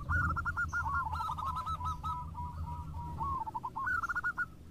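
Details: Several local zebra doves sing together in a lively exchange. Their rapid, purring coo notes run almost without a break, trail off, then pick up again in a brief quick burst over a steady low hum.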